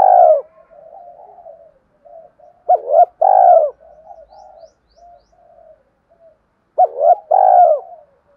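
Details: Spotted dove coos intended to attract wild doves. Loud two-note phrases, a short wavering note then a long falling one, come about every four seconds, with soft, quieter cooing in between.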